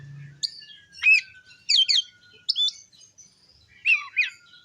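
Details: Oriental magpie-robin singing to provoke rivals: short separate phrases of looping whistles and sharp chirps over a steady faint low tone, with a brief low hum at the start.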